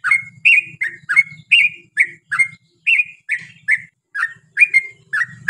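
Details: Long, energetic 'ropel' song from a yellow-vented bulbul: quick liquid phrases with rising and falling slurs, over a low intermittent humming background.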